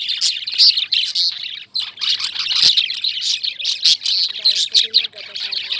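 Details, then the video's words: High, thin chirps and tweets from many Indian lovebirds blend into an unbroken chatter, with faint tonal notes heard lower down near the end. "Love Birds Chirping"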